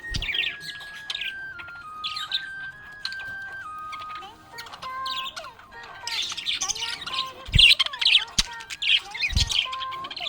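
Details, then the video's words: Cheerful budgerigar chirping, starting sparse with scattered twitters over a stepped held melody, then building into dense loud chattering chirps and squawks in the second half. "Happy budgie chirping sound"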